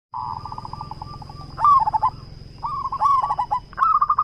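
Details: Local zebra dove in full, big-voiced song: a soft run of rapid even coo pulses, then loud phrases of a bright rising note followed by quick staccato rolling coos, repeated three times; a steady high electronic whine runs throughout.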